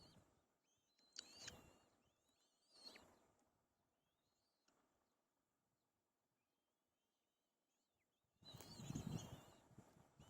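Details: White-tailed kite chicks quarrelling to grab food: thin, wavering, rising-and-falling whistles at close range, several overlapping, broken by loud rustling and handling bursts near the start and end.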